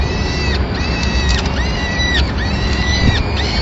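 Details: Peregrine falcons in Madrid on 25 April 2016, as a female arrives with a pigeon to feed the chicks while the male watches. Drawn-out, harsh, harmonic-rich calls ending in downward slurs, repeated several times over a steady low rumble of background noise.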